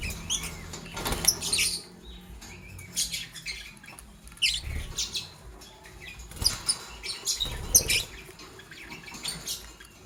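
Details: Green Fischer's and pastel blue lovebirds chirping in the morning: short, sharp, high chirps in irregular bursts, separated by quieter gaps, with some clattering and rustling sounds.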